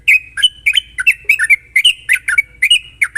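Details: Sooty-headed bulbul singing in quick, sharp phrases, recorded as a lure for untrained bulbuls: continuous lively, slurred whistled notes in close pairs, with a faint low hum underneath.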